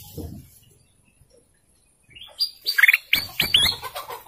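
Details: Canary song breaking in after a near-silent pause: a burst of bright, rising chirps and slurred whistles, closely packed, over faint low noise.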